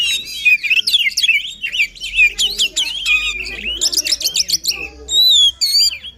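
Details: Continuous rich song of a White-rumped shama, played to encourage a silent shama: fast warbling runs, sharp buzzy stutters and looping whistles packed closely together.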